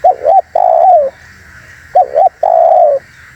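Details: Lure recording of a vigorously calling spotted dove: two short hooked coo notes followed by a long, slightly falling coo, the phrase given twice about two seconds apart, with steady hiss behind.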